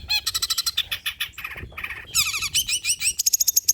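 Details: Long-tailed shrike pouring out varied old-style song material, used as a prompt for other shrikes. Fast rhythmic chips, two short buzzy mid-pitched phrases, then bright rapid twittering runs.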